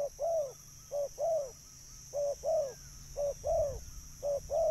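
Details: Spotted dove lure sound: repeated paired coos, short then longer and descending, about once a second, with a brief low thump near the middle and a steady faint high hum.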